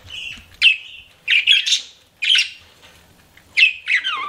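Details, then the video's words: Pet budgerigars utter separate squeaky, slightly buzzy chirps and short warbles, spaced about a second apart with quiet gaps between them. "CUTE PET BUDGIES CHIRPING"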